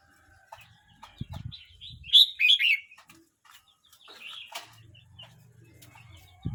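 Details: Young red-whiskered bulbul, 12 months 29 days old, gives one bright warbled phrase of several quick slurred notes. Soft scattered chirps, light rustling and a low hum run beneath it.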